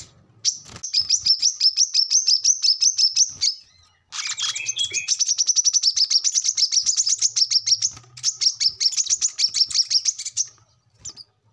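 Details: Brown-throated sunbird singing a gacor 'ngobra' chatter, used as a training lure for captive birds: long, fast strings of thin, high, ticking notes that run for several seconds and pause briefly before starting again.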